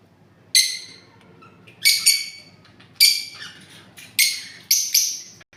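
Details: Parrot squawking repeatedly, about one harsh, noisy call per second, some calls doubled, over a faint low hum.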